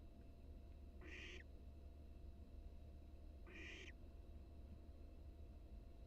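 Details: Wild barn owl nestling in a live-cam nest box, practising wing flaps; two rough, snoring hiss calls about two and a half seconds apart over a low, constant hum.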